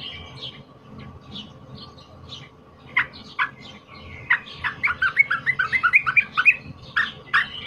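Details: Cream-vented bulbul, wild-caught, loud emotional fighter song for training other birds: faint scattered notes for three seconds, then an accelerating series of sharp chirps building into a fast, bright chatter, over a low hum.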